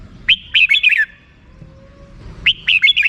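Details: Two rapid phrases of sweet, slurred chirps from a red-whiskered bulbul singing its 'rik' style, separated by a short gap with a faint steady tone.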